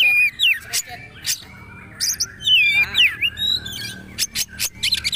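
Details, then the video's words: Magpie-robin singing in the poci trotol style for bird tutoring: separate falling whistles broken by sharp clicks, a longer twisting whistled phrase near the middle, then quick ticking notes. "Masteran Kacer/Poci trotol agar ikut bunyi terbaru"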